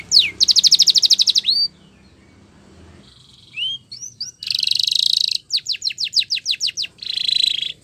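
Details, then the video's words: Spanish Timbrado canary song for training canaries: fast rattling trills of high notes, upward-swept whistles, a buzzy trill, then rapid descending sweeps and a closing trill, with a short quiet gap midway. "The Best Spanish Timbrado Song For Training Your canary !! Make Your Canary Singing Again"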